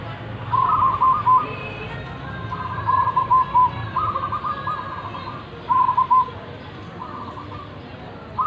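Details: Big-voiced local zebra dove sings a series of quick staccato coo phrases, some longer and trilled, others short with two or three clipped hoots, separated by pauses of about a second amid constant low background noise.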